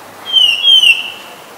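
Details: One black-collared starling note from Ubon Ratchathani, Thailand, 10 February 2023: a single clear, loud whistle, held steady and then dropping slightly in pitch, lasting under a second.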